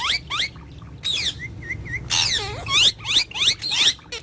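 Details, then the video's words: Pair of pet talking parrots giving rapid chattering calls: sharp clicks and short rising-falling whistles, then a run of three even whistled notes and harsh squawky bursts, all repeated quickly with brief gaps. "Best Jodi Of Talking Parrot"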